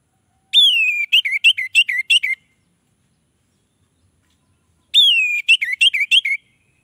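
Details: Orange-headed thrush song said to attract other orange-headed thrushes; each phrase opens with a long descending whistle followed by five or six quick rising-falling notes, repeated twice with a pause.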